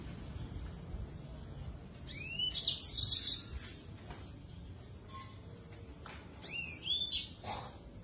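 Yellow-fronted canary singing two bright, high phrases a few seconds apart, each a rising sweep into rapid twittering trills, over a low background hum.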